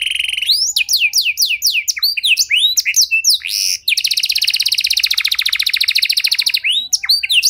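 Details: Canary delivering a long song with distinctive turns, used to trigger other canaries to sing: a buzzy opening, quick downward-slurred whistles, then an extended rattling trill before chirps resume.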